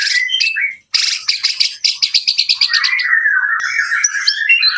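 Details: White-rumped shama singing in Jakarta: fast rich phrases mixing sweet whistles near the middle pitch range with rapid high ticking trills, a brief pause, then a long run of repeated sharp notes sliding into warbled whistling.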